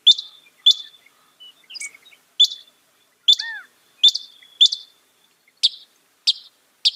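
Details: Northern mockingbird (Mimus polyglottos) giving high, sharp, metallic chip notes spaced about half a second apart, each trailing into a faint thin whistle, with one soft whistled slur in between.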